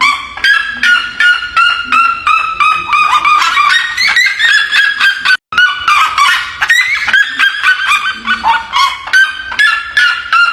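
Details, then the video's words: Red-legged seriema singing on a farm: a long, loud chorus of rapid, shrill yelping notes repeated several times a second, rising and falling in excited bursts with a brief break midway, likely more than one bird. "Siriema Cantando, Siriema Na Natureza, Canto da Siriema"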